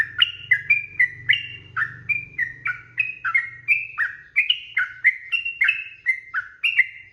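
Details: Continuous 'ropel' song of a sooty-headed bulbul, meant as master audio for teaching birds: a steady stream of chirpy, slurred whistles, each dropping in pitch and repeated roughly three times a second, with a soft low rumble underneath.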